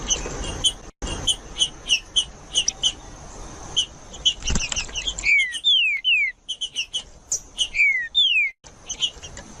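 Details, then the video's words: Green-winged saltator, song in the style called Judas, played to stir a cold, silent bird into singing: sharp high chip notes repeated at a steady pace, then loud clear whistles slurring steeply downward, several in quick series. "MELHOR VÍDEO PARA ESQUENTAR TRINCA FERRO FRIO 2024 | TRINCA FERRO JUDAS"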